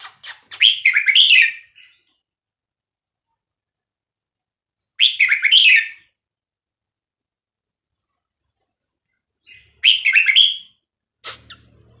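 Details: Red-whiskered bulbul from Vietnam singing as a teaching recording for young birds: three short, rich, chattering warbles spaced about four to five seconds apart, with a sharp click at the end.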